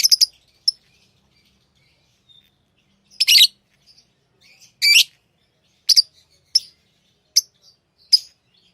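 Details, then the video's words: Pet lovebirds give loud, buzzy high chirps followed by a run of short sharp tweets roughly every second. "Love birds Sounds | lovebirds chirping sounds"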